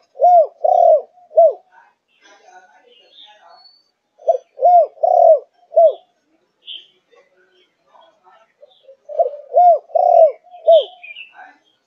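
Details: Spotted dove, Malaysian line, four months old, thúc gù style. It gives three bursts of low arched coos, each a cluster of three or four notes, separated by pauses of about two seconds, with soft faint chatter between.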